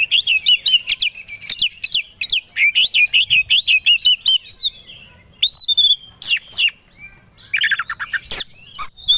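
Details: Oriental magpie-robin (kacer) in a provocation recording meant to make birds quickly agitated and ready to fight: fast, varied song of sharp whistles, upslurs and chattery notes, nearly continuous in short rapid bursts.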